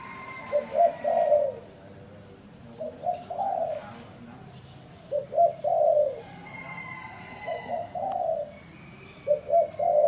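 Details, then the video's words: Spotted dove giving unusual coos: short pairs and triplets of hollow low notes separated by pauses, with a thin, high whistled tone in the background. "Top 10 tiếng chim cu gáy gù độc lạ mới hay nhất"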